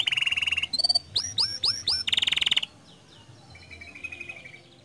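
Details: Lively canary song used to draw other canaries into singing: a buzzy rolling trill, a series of sharp swooping notes, another dense buzzing roll, then only faint distant warbling.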